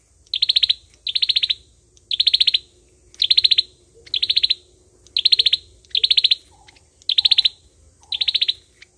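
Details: Fighting song of an olive-backed sunbird, played as a lure for trapping: high buzzy trills of rapid ticking notes repeated about once a second, nine bursts in all, with a few quiet lower chirps late on.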